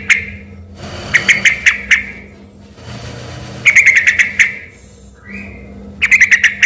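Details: Lively yellow-vented bulbul in full song, its voice likened to a white-rumped shama. Short bursts of clear, warbling whistled notes come in bursts about a second long, separated by pauses, over a steady low hum.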